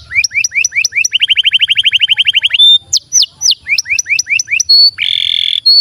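A canary sings bright, high phrases: rising chirps, a rapid rolling trill of repeated notes, quick downslurs, then a harsh buzzy burst before more chirps.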